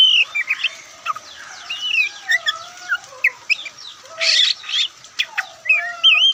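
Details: Oriental magpie-robin (kacer, white-breasted form) in Indonesia giving a softer, rambling song of scattered whistles, chips and short rasping bursts, with a low background hum.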